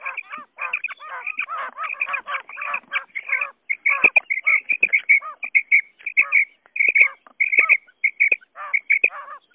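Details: Quail calls, male and female, played to lure quail: dense clusters of high chirps with lower, falling harmonics, closely packed at first and then spreading into separate bursts repeated about every half second, on a clean background.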